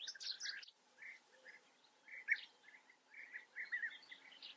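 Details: European bee-eaters at a breeding colony in Germany's Eifel region, a loud opening cluster of burry trills, a short lull, then spaced rolling calls returning in small groups.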